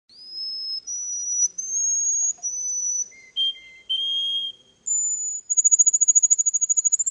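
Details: Russian canary at a championship in Russia, a prize bird: long pure whistled tones stepping between pitches, lower held notes, then a fast even trill of high pulses in the final two seconds.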